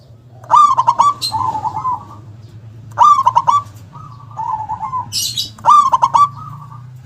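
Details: A local zebra dove with a big, forceful voice gives three cooing phrases, each a quick stuttered run of notes with a trailing rolled coo, over a low steady hum and a brief high chirp.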